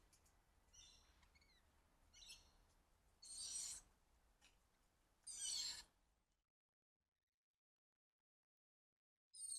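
Cockatoo giving two loud, harsh, raspy screeches about two seconds apart, with a third starting at the end. Softer high chirps come before them.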